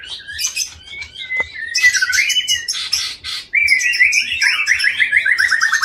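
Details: Captive long-tailed white-rumped shama of Aceh stock, Indonesia, a breeding male: loud, varied song of sharp chirps, then rising whistled slurs and a fast descending trill of repeated notes near the end, over a faint regular low thumping.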